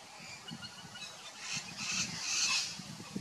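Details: Rainbow lorikeets (Trichoglossus moluccanus) at Big Swamp Station, South Australia, give shrill, grating screeches that overlap and build in intensity, with low thumps and rumble beneath.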